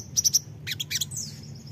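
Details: Lure song of a crimson sunbird to get untrained birds to answer: three bright, sharp high notes in quick succession, then a short jumble of chirps and a thin down-slurred whistle.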